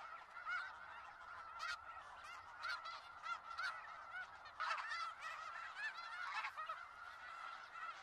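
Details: Large flock of snow geese at Skagit Valley; strong, barking nasal honks burst out repeatedly, in quick clusters, above constant crowd chatter.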